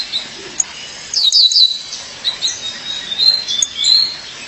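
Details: A female violaceous euphonia calls to her mate with sharp, high downslurred notes in a quick cluster, then softer scattered high chirps and thin whistles against a quiet backdrop.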